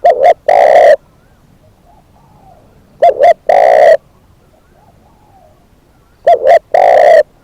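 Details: Spotted dove used as a decoy, giving three evenly spaced phrases about every three seconds, each two brief coos and a drawn-out hoarse coo; very faint cooing in the gaps.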